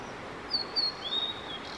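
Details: Male Blue-and-white flycatcher singing at length with bird photographers nearby: three clear whistled notes, the first two level and high, the last lower and drawn out, over a soft steady background hiss.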